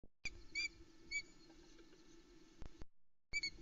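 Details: Osprey chicks give thin, high, excited squeaky chirps about half a second apart, over a soft low hum, at Loch Arkaig nest, very misty early morning, 04:08, 28 Jun 2020, as feeding starts after the male delivers half a trout.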